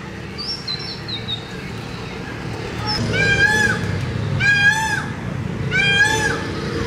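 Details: Peacock heard over a noisy outdoor background: two strong harmonic wailing calls in the second half, a fainter one before them, and thin high chirps from a small bird near the start.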